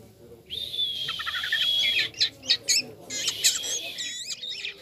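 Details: Jalak kapas starling singing energetically with a toy-like song. A long, steady, high whistle is followed by a quick jumble of sharp chirps, buzzy notes and short rising and falling whistles over a low background hum.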